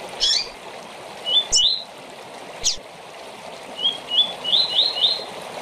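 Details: Harsh buzzy burst, two rising whistles, a sharp click, then a run of five upslurred whistled notes: the short tournament song of a coleiro or papa-capim, with steady hiss throughout.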